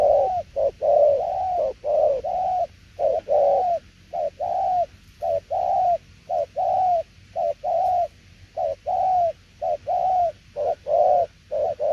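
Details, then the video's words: Sustained 'đồng tiểu liên nước' song from a spotted dove, with mellow low coos in repeated groups of short then longer notes, steady and clear against near silence. "Đồng tiểu liên nước chơi quá hay luôn ae ơi"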